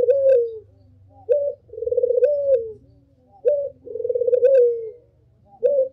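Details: A Barbary dove gives a lively lure call: a sharp short coo, then a long pulsing rolled coo, repeated about every two seconds over a low background hum.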